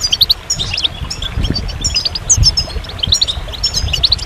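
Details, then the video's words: Goldfinch song with paired high chirps and tinkling twitters, clusters of quick notes repeated at roughly half-second intervals, with a steady low background rumble. "Magical Goldfinch Songs"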